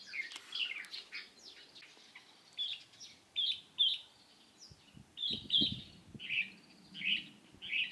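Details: Light-vented bulbul, 16 April 2023: a few quick chirps, then separate bright, slightly slurred notes repeated about every half second to second, with faint low knocks in the background.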